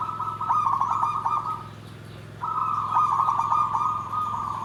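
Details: Zebra dove song described as nggandem gedhe garing: stuttered quick notes blend into a trilled coo, a short pause, then a second phrase of stuttered notes and a long rolling coo, all mid-pitched over a low hum.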